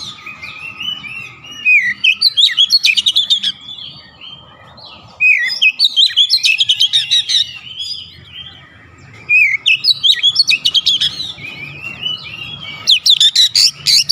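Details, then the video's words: Oriental magpie-robin (kacer) in persistent gacor ngotot song, bongkar isian: four phrases of warbled, slurred whistles, each breaking into rapid sharp chip trains, about every four seconds, with a faint steady hum behind. "KICAUAN OBAT KACER SETRES CEPAT SEMBUH DAN GACOR NGOTOT BONGKAR ISIAN"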